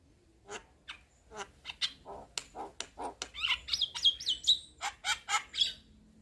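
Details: Chatter of a white-eyed Javan myna used to lure a silent myna. Quieter dry clicks and rasps run steadily, with a cluster of thin whistled notes in the middle.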